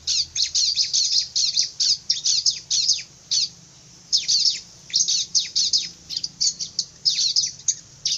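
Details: Energetic bar-winged prinia, called fierce, pouring out steady series of sharp, high, scratchy chirps in quick clusters with brief gaps, the rhythm uneven throughout, over a faint low background murmur.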